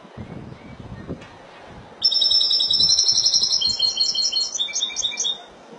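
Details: Spanish goldfinch in Malaga style giving a long phrase of about three and a half seconds, a smooth ringing high trill breaking into stuttered, bouncing separate notes.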